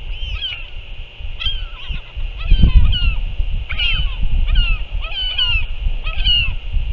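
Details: Northern royal albatross at a feeding visit, with the parent back and feeding the chick on 6 April 2024: a run of short, high, slurred whistles repeated about every half second to second, over low wind buffeting.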